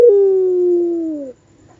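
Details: A puter pelung, a long-voiced ringneck dove valued for its wolf-like song, gives one low, steady, drawn-out coo. It holds level for over a second, then slides slightly downward before ending abruptly.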